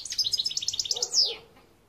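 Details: European goldfinch, 2021: a brief, fast series of about a dozen evenly spaced high twittering notes ending in a sharp downward slur, with a fainter lower sound underneath toward the end.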